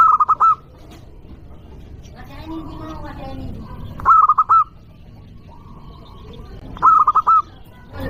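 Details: Lure recording of a loud local zebra dove meant to provoke rivals, with three crisp phrases of rapid hooting notes ending in a held coo, and a lower wavering call and softer doves in between.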